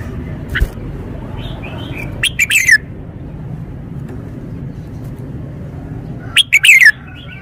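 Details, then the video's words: Red-whiskered bulbul demonstrating its song style, each note sharply emphasised: a faint early note, then two loud phrases of three to four quick descending whistles about four seconds apart, with soft warbles and a low hum. "นกกรงหัวจุก 496 จ้าวคำหมาน แกนโต โชว์สำนวน ชัดเจนเน้นทุกดอก"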